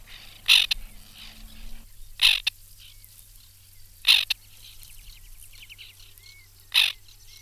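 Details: White-winged terns at a nesting colony in 2021: loud, harsh rasping calls burst out about every two seconds, four in all, over a faint background of softer chattering from other birds.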